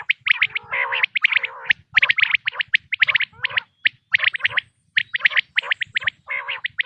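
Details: Quail call for hunting. Busy clipped notes and harsh, gurgling phrases tumble along in short groups with only brief gaps.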